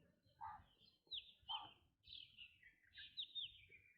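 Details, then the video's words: Black drongo calling: loud, clear whistled notes that slide downward from high to mid pitch, given in a loose series about every second. Shorter, lower blurred notes come between them, over a faint rumble of background noise. "Black Drongo Bird Sound"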